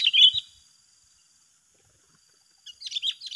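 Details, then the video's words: Sooty-headed bulbul song from a contest between two rival birds: a loud warbled phrase opens, followed by quiet, then a softer string of jerky chirps at the end. "Adu Gacor yang tak Terselesaikan Antara dua petarung"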